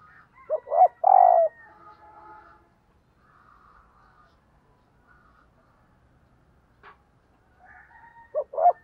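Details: Spotted dove used as a decoy, cooing to lure wild doves: a short note, then a loud, long, slightly falling coo. A quiet gap follows before another coo phrase starts at the end.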